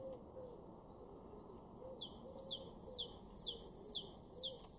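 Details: Great Tit, garden at Weener, East Frisia, northwest Germany, April 2023: after a near-silent start, a bright, high song starts and runs to the end, with steady two-note phrases repeated about twice per second.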